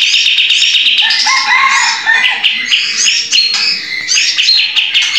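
Olive-winged bulbul in loud, busy song: rapid bubbling, chattering phrases with quick rising and falling whistles that pour out continuously, with barely a pause.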